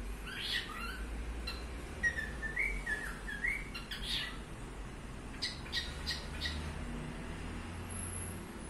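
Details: Pet cockatiel uttering a run of clear whistled notes that rise and dip, followed by sharp clicking chirps, against a constant low-pitched hum in the room.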